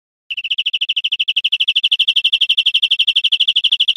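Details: European Greenfinch song recorded in Spain in 2013, a steady rapid trill of identical bright notes, about eight per second, growing slightly louder and continuing without pause.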